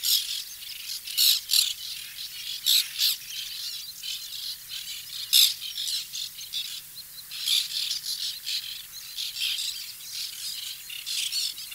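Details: Several white-winged terns at a nesting colony give harsh, rasping squawks in short, high bursts, often overlapping, every second or so; little else is heard.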